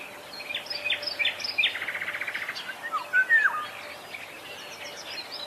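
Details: Wild black-naped oriole, locally called kepodang, singing: a loud liquid slurred whistle dips and rises near the end, amid a busy chorus of other birds' high chirps and rapid trilled notes.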